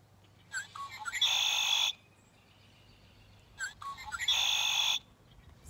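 Two songs from a Red-winged Blackbird about three seconds apart, each a few short clucking notes leading into a harsh, buzzy trill, the familiar conk-la-ree.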